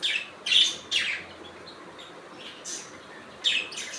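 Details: Budgerigar natural sound: quick scratchy chirps, several in the first second, then a quieter stretch before two more sharp high notes near the end.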